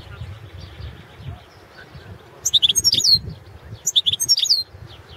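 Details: Balkan goldfinch, carduelis balcanica, recorded for a world championship in goldfinch song run over the internet from Serbia; two rapid bursts of bright, tinkling twitters with sliding whistles, separated by a short quiet gap, faint low hum throughout.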